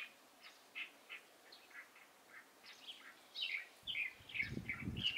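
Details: Light-vented bulbul, 16 April 2023: a steady run of quick chirping notes that grows louder and more crowded toward the end, where low rumbling noise joins in.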